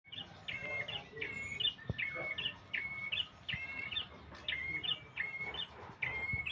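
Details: Young prinia learning to sing: short, bright chirping phrases with quick rising and falling notes, repeated roughly every 0.7 seconds, about nine bursts in all, over a faint low background rumble.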